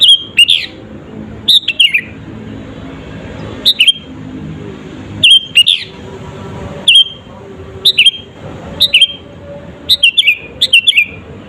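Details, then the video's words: Sooty-headed bulbul singing lively, used as a lure to provoke rival birds: short bright whistled phrases with a quick falling flourish, repeated every one to two seconds, over low background hum. "SUARA BURUNG KUTILANG GACOR ASLI TAMPA ISIAN..,!!!pancinga kutilang bikin lawan emosi..."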